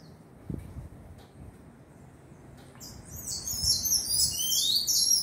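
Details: Fledgling tanager (sanhaço). Three seconds of near quiet with faint low thumps, then a rapid stream of very high, thin, sliding notes that grows louder to the end.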